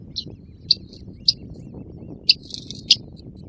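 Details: Great crested grebe and chicks on Tovačov ponds, Czech Republic, recorded 2013–2014: irregular piercing peeps, a few doubled, with faint twittering in between, over steady low-frequency noise.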